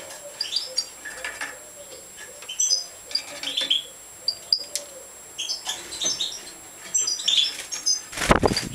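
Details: At feeding, a Major European goldfinch gives scattered high tweets and squeaky chirps at irregular intervals, with a louder rustle or clatter near the end.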